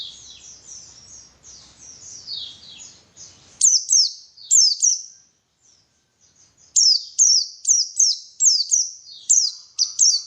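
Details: Lure recording of a white-eye, locally pleci, to make birds sing: soft twittering with low rumble first, then loud high chirps that drop steeply in pitch, arriving in quick uneven bursts after a silent pause.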